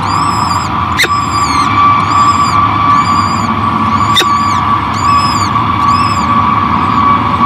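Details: Peregrine falcon at its nest at Great Spirit Bluff, a female feeding her new hatchlings in 2023; a series of high, thin, arched calls repeats roughly every second over a steady low hum, with two sharp clicks.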